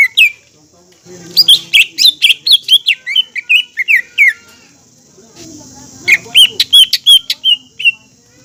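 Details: Green leafbird lure song to make captive leafbirds sing and become excited: fast, high, varied whistles and chips in a dense phrase, a short pause with soft low hum, then another brisk run of bright notes.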